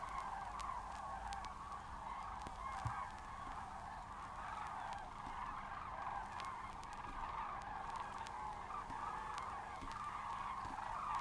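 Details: Field recording of Common Cranes at Matsalu: a large gathering calling together, overlapping trumpeting notes blending into an unbroken murmur that swells slightly and then eases, heard from a distance, with faint clicks in the background.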